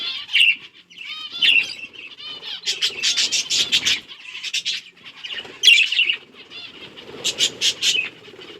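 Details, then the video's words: Budgies chirping as they eat seeds, October 30, 2023: warbling, squeaky phrases alternate with rapid clusters of short clicks and chirps, several birds calling together. "Budgies eating seeds | Budgies chirping sound"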